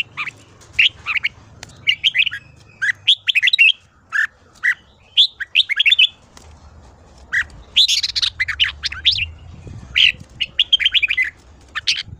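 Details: Morning song of the red-whiskered bulbul in 'ché' style, played as voice training for young birds: repeated groups of high whistled, warbling notes in rapid bursts, with a denser, louder passage midway and a faint low hum underneath.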